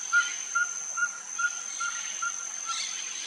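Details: Ferruginous pygmy-owl perched and singing at Finca La Gracia, Escuintla, Guatemala, 26 October 2019: a steady run of short, mellow whistled toots, about two or three a second, over a constant high insect hiss.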